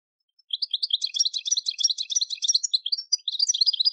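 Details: European goldfinch singing campero-style song used to train young decoy and contest birds; a fast, continuous run of bright twittering and tinkling notes, high and busy, with brief trills and no other sounds.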